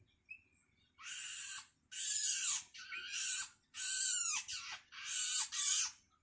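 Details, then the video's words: Hungry long-tailed shrike chick calling for its parent: harsh, broadband rasping screeches in four long bursts of about a second each, separated by short pauses, with a faint thin whistle before the first. "Suara anakan cendet"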